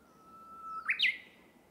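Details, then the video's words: Uguisu, the Japanese bush warbler, singing in a bamboo forest: one long level whistled note, then a quick bright rising and falling flourish of two accented notes. Quiet forest background. "Japanese Bush Warbler (Uguisu) singing"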